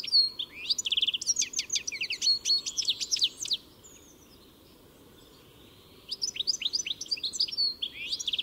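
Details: Song of a European goldfinch: a lively tumble of high, sharp tinkling notes and short trills for several seconds, then near silence, then another rapid twittering phrase.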